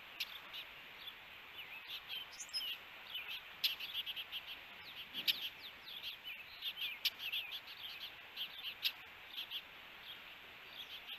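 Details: Ospreys at a nest in Hellgate Canyon, Missoula, Montana, recorded by a nest camera on June 21, 2022, during an encounter between the pair. Faint, high chirps come in loose runs through steady background hiss, with occasional sharp clicks.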